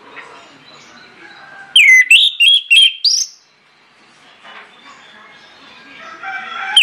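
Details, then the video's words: Orange-headed thrush song used to trigger other birds into singing: a single loud phrase of four or five sharp whistled notes after soft background chatter, followed by quiet murmuring sounds and a final note. "PANCINGAN ANIS MERAH NGEPLONG NGOTOT YANG LAIN AUTO NGIKUT"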